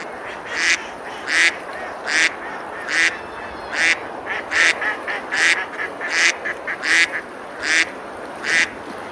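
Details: Ducks quacking while eating and splashing on a river beside a medieval village in Besalú, Girona, Spain, on a summer day; about a dozen nasal quacks repeat roughly every second over constant flowing water.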